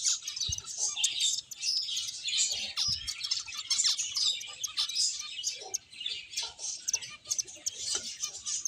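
A flock of finches chirps continuously: dense, high, overlapping tweets with no pause, plus a few soft low thumps.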